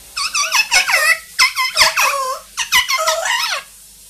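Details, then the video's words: A 2-year-old grey parrot and a 1-year-old Amazon parrot talk, sing and imitate sounds, giving three bursts of squeaky, warbling chatter with quick rising and falling notes like imitated words; grey parrot and Amazon parrot. "quelques mot et bruitage des perroquets"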